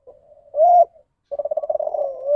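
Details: Spotted dove giving the deviant ndanglong coo, a variant departing from the standard call and attributed to poor breeding or inbreeding: a short low note, a loud sustained hooted note, then a fast stuttering run of low pulses.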